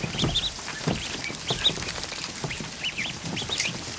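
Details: Over a hundred newly hatched ducklings in a kiddie pool in a barn, one afternoon; many overlapping high, arched peeps in rapid, irregular succession, with soft splashing and shuffling underneath.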